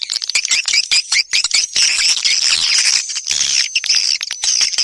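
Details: Swiftlet lure sound to attract the birds: busy high twittering and rapid squeaky trills, nearly continuous, with a faint steady tone beneath the chatter.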